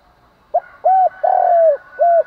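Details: Kept spotted dove giving its provoking morning coo for training birds; a clipped opening note, a rounded coo, a long downward-sliding coo and a closing coo in one phrase.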